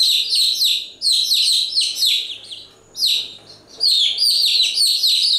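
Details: Chicks giving nonstop shrill peeps, rapid downward-slurred notes packed into bursts, with a quieter lull in the middle before the chorus of chirps resumes.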